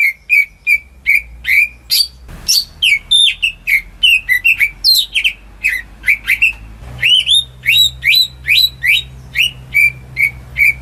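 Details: Greater green leafbird raised at home, singing as a lure for birds that will not sing: long sequence of loud whistled notes, mostly rising slurs repeated in an even rhythm, broken by two brief thumps.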